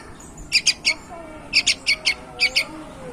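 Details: Young bulbul of prized stock, said to sing constantly, giving sharp, bright chirps in quick pairs and triplets, three bursts in about three seconds, over faint background noise.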